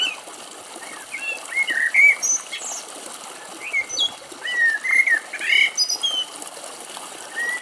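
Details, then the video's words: A common blackbird in brambles at a woodland edge in Greece, ever alert, sings mellow, fluting whistled phrases rising and falling, interleaved with higher squeaky twitters, over a quiet background hiss. "Κελάηδημα Κότσυφα - Blackbird Song"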